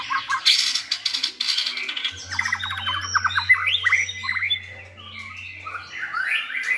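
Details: Several good-voiced white-rumped shamas singing to school another shama; loud harsh bursts open, then a quick run of crisp repeated whistled notes, followed by softer mixed warbles and a low hum.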